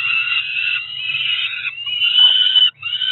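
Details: Two Peregrine falcon chicks, about four weeks old, at their Cromer nest site in June, calling for food during breakfast; an unbroken grating screech lasting about three seconds, wavering slightly in pitch, over a faint low hum.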